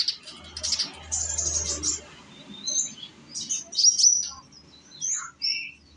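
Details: Young Indonesian sunbird, known locally as konin, singing as a lure to draw other birds into song: scattered high thin whistles and twittering notes, some sliding downward, with brief low rumbles underneath.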